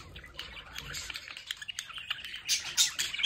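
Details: Pet budgerigars at a home window chatter in quick, high chirps and warbles, overlapping irregularly at several notes per second, with faint background noise.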